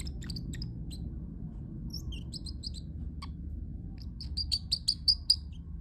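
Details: Pet parrotlet chattering softly with scattered chirps, then a rapid series of five or six loud, sharp high chirps near the end, with low room hum underneath.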